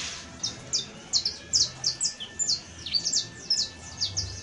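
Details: Saffron finch, or canario criollo, sings bright descending chirps at roughly two per second, clear and fairly evenly loud, with a faint low hum.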